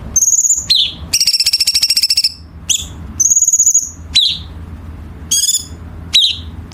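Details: Sharp, rapid song of a Chinese bulbul, used as masteran for contest birds: a high whistle, a falling note, a long buzzy rattling trill, then alternating steady whistles and clipped downslurs.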